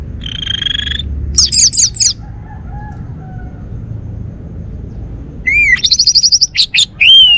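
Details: Male orange-headed thrush of the Bali type, kept at home, sings a steady whistled note, then rapid squeaky trills, a pause, and a fast run of piercing rising-and-falling whistles and chatter.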